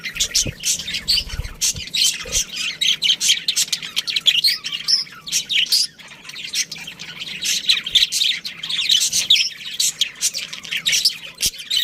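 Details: Busy budgerigar colony with a breeding pair, giving continuous high chirping and warbling squawks from several birds at once, with occasional low knocks.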